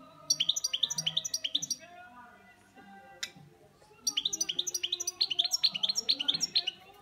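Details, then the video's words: Pet European goldfinch singing: two bursts of rapid, high twittering notes, about four or five per second, separated by a short pause with a single sharp click; faint low background hum. "Saka Kuşu Böyle Öter"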